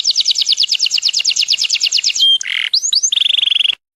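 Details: A yellow canary sings a fast, bright trill of repeated high notes, then a buzzy phrase, quick rising whistles and a rapid rattling tour to finish.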